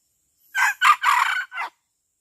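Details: Red junglefowl kept as a decoy bird in Indonesia, an F1 Saigon cross, giving one short, hoarse crow of four clipped syllables, the third drawn out, with no other sounds.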